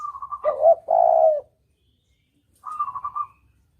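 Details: Spotted dove as a hunting lure in "kuk dobel" style: a rapid fluttering trill runs into two deep, sustained coos, then after a pause another short fluttering trill.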